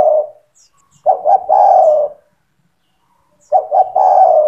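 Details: Spotted dove singing strongly to train young doves: the tail of one coo, then two low phrases, each two short notes leading into a drawn-out falling coo, about two and a half seconds apart.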